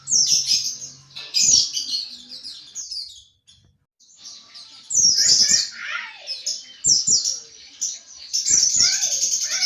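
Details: Ngriwik-style chatter of a white-eye, called pleci, for bird training: long stream of shrill twittering, a short silent gap, then louder rapid phrases with some lower sliding notes.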